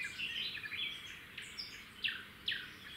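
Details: At a roadside nest of red-backed shrikes, the male delivers a grasshopper and the female passes it to the chicks. Short, scratchy, downward-sweeping notes come roughly every half second, with twittering birdsong behind.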